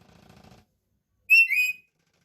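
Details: Pet lory giving one short loud whistled call, two quick slurred notes, after a brief faint murmur and then silence.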